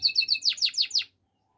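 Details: Spanish Timbrado canary singing a short phrase of seven chirpy notes: three steady high notes, then four downward-sweeping notes, all within about one second before silence.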